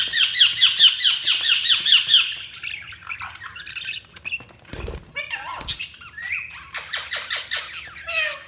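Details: Budgerigars chatter in rapid high chirps for two seconds, followed by sparse clicks, a couple of loud thumps and softer scattered notes.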